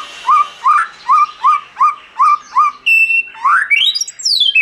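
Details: Song of a white-rumped shama in wild-style voice, opening with seven evenly repeated upslurred whistles about every half second, then a level note and rising and falling sweeps.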